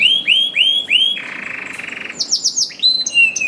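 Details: Canary singing in a lively, persistent manner, used to prompt reluctant canaries to sing: repeated upslurred whistles, then a rapid buzzy trill, followed by descending sweeping notes and clear whistled tones.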